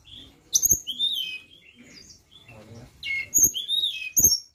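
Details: Flowerpecker song used as a lure, made of thin, very high chirps and short sliding whistles in quick bursts, separated by brief pauses, with faint low knocks underneath.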